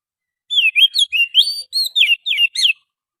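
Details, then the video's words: Oriental magpie-robin song used as a lure, from forest birds: a rapid string of about nine varied chirps and whistles, rising and falling sweeps, lively and musical with no other sounds. "suara pikat burung Kacer asli hutan,suara pancingan kacer"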